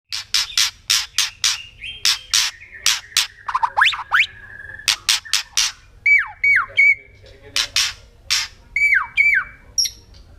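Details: Wild white-rumped shama singing: loud repeated sharp broadband notes about twice a second, mixed with whistled rising and falling phrases and trilled flourishes, with a steady low hum beneath.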